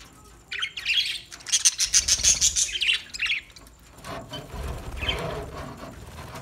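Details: New budgerigars chattering: a burst of bright, high chirps and squawks packed together, then fainter scattered chirping after a pause, with some low handling thumps.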